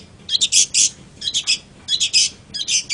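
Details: Long-tailed shrike phrases of harsh, raspy, buzzy notes, grouped in clusters of three or four and repeated about every second.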